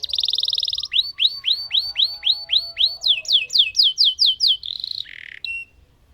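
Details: Lemon canary in full song with a long roll: a rapid buzzy trill, then a chain of clear descending whistled notes that quicken, finishing with short trills and a brief low note.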